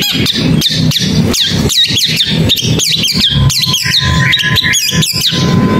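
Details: Long-tailed shrike giving fast, repeated high notes that sweep downward, delivered in a busy run with short gaps, over a constant low background hum.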